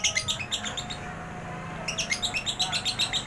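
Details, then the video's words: Long relaxed 'ekek panjang' chatter of a lovebird, played as a lure to get birds singing; quick high ticking chirps in two bursts, about four per second, separated by a short gap. "love bird ekek panjang,nada santai"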